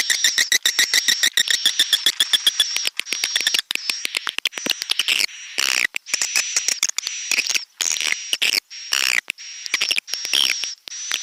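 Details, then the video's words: Swiftlet lure track in stereo of the Pelangi Senja vs BJA Birahi style: regular rapid clicking pulses, then choppy bursts of chatter and rising chirps over a constant high whistled tone. "suara burung walet |suara walet stereo"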